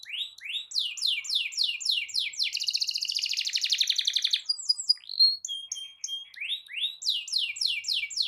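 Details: Canary in long rolling song meant to provoke other canaries into singing: rapid downslurred notes, a fast buzzy trill in the middle, then varied whistles and more repeated slurred phrases.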